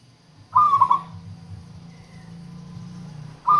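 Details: Zebra dove of a local strain used for luring wild doves: one warbling, stuttered coo phrase, then the start of another after about three seconds, over a steady low hum.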